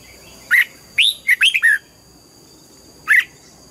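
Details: Morning song of a red-whiskered bulbul, styled as a mature wild-type double-note song: a lone bright whistled note, then a quick run of four rolling slurred notes, and one more short whistle after a pause; steady faint hum behind.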